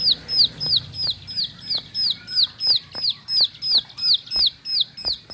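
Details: Bar-winged prinia singing in the fast ngebren style: sharp downslurred high whistled notes repeated about three times a second in a steady, even rhythm, with faint clicking ticks between notes.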